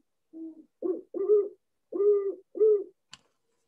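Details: Great horned owl (Bubo virginianus) gives five deep, soft hoots in a stuttered rhythm: a single note, then a quick pair, a pause, and a final pair, ending with a faint click.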